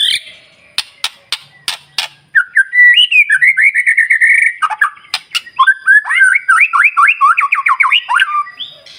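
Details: White-rumped shama singing to provoke other birds in the morning: a few sharp clicks, then a flowing whistled phrase followed by rapid bouncing up-and-down whistles repeated in quick series.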